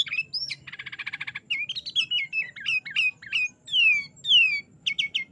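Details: A sooty-headed bulbul's 'gacor isian' training song mixes a rapid buzzy trill with varied chirps, stepped whistled phrases and clear downslurred notes, ending in a few quick chirps, with a low background hum.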